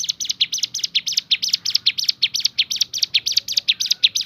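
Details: Bar-winged prinia, known locally as ciblek gunung, singing in the rapid 'tembakan' (shooting) variation style: a fast run of short, high, sharp chirps repeated about three times per second, steady and unbroken throughout.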